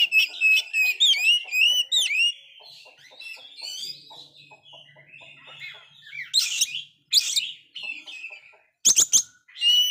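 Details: Actively singing Oriental magpie-robin after a failed moult, song meant to stir a low-spirited magpie-robin: rapid varied whistles and chirps at first, a quieter rambling passage, then loud rasping bursts near six to seven and nine seconds.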